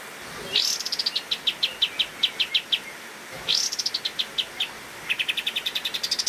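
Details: Caged pied triller in lively gacor master song for training other cage birds, delivering three bouts, each opening with a sharp rising upslur followed by a fast run of a dozen or so high, clipped repeated notes that speed up; quiet background.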